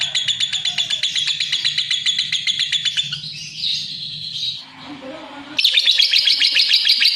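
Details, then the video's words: Lovebird chattering in fast, scratchy chirps for about three seconds, then a softer warbled passage and a brief lull, before a loud burst of rapid grating notes resumes. "Suara Kicau Burung LOVEBIRD"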